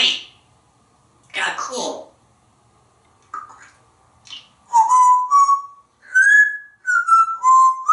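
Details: Talkative male African grey parrot living in a Texas home, hatched 1997, perched on top of a glass enclosure and speaking: breathy word-like sounds, then rising and falling whistled syllables with rich overtones, repeated quickly near the end.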